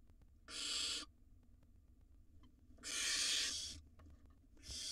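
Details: Two wild barn owl nestlings swallowing rodents in a nest box; harsh hissing screeches, each roughly half a second to a second long, repeated every two to three seconds over faint background hum.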